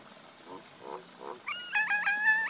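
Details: Male and female common myna: soft, low gurgling notes give way to a loud, rising chain of whistled, harmonic notes that repeat rapidly.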